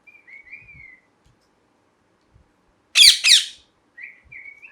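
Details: Parrot heard indoors: soft, thin whistled notes drift at first, then two loud, harsh, raspy squawks burst out back to back near the middle, followed by more quiet whistles and faint low thumps.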